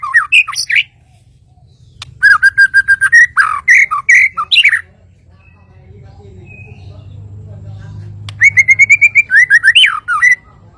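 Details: Kalimantan white-rumped shama singing loud, varied whistled phrases in short bursts: rising and falling slurred notes, then a rapid run of clipped notes, a pause with faint low hum, and a closing burst of bright whistles.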